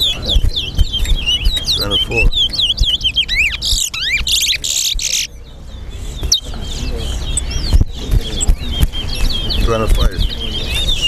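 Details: Chestnut-bellied seed finch (towa towa) singing during a Guyanese song contest: steady repeated whistled notes and twittering runs, interrupted by a hissing burst, knocks and distant voices.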